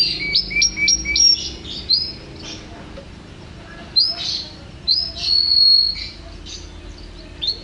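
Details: Champion canary in lively song: bright whistled notes and short rapid trills around high pitch, phrases in bursts with brief pauses, a long level whistle near the end; faint low background hum.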